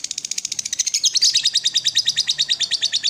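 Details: Lovebird giving a loud rolling chatter, played in the morning to stimulate other lovebirds: dense, grating high pulses about three per second, swelling briefly in the middle, with a soft low rumble beneath.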